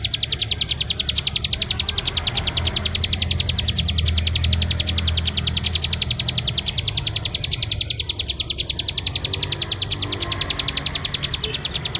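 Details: Bar-winged prinia (ciblek kristal) in unbroken ngebreen song: a rapid, steady stream of high, buzzy chip notes lasting the whole twelve seconds without a pause, with a soft low hum underneath.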